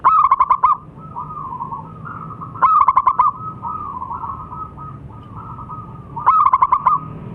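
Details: Zebra dove of local stock, called a keen singer, repeating a rapid pulsed cooing phrase about every three seconds, each a stuttered run of short beats, linked by softer sustained mid-pitched coos from other doves; low rumbling background.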